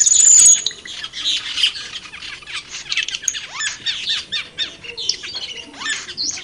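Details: Wild cucak keling giving harsh squawking chatter and rapid scratchy notes in irregular bursts, opening with a brief high whistled tone.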